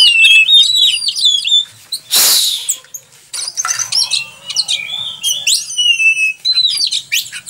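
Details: Oriental magpie-robin in full song, a tutoring recording for other birds: fluid whistled notes and quick trills in varied phrases, interrupted early by a loud rushing burst of noise, then continuing with sharp chips and sustained whistles.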